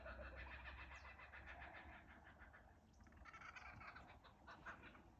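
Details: A chorus of kookaburras at Ballandean, recorded from a cottage verandah, cackles in a loud, rough chorus of rapid repeated hoots and chuckles, rising and falling in waves over a low rumble of wind or traffic.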